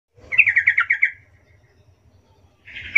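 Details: Yellow-vented bulbul lure song, used to make other bulbuls answer: a bubbly phrase of quick, even chattering notes lasting under a second, then a fresh phrase starting at the end, over a faint low hum.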